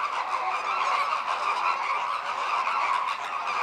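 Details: Many American flamingos give a dense, unbroken chorus of nasal, goose-like honks during group courtship, with synchronized head-turning and wing-opening displays, with too few adults yet joining to start a larger procession.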